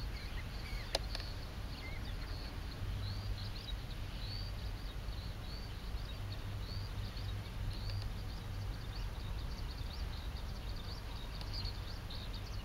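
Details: A group of Pacific golden plovers bathing together after rain give short, high chirping notes, repeated every second or so and overlapping, over a steady low rumble of wind or distant traffic.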